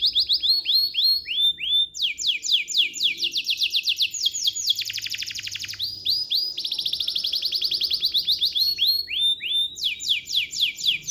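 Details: A canary sings continuously, rolling through runs of quick descending chips, a dense buzzy rattle, and rapid repeated high trills, with hardly a pause over eleven seconds.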